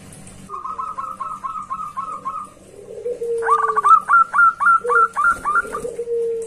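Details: Zebra dove loudly calling out to a rival: a run of short hooked notes repeated about four times per second, then a louder, higher series of bright hooked notes, with a long, low, level cooing note drawn out underneath.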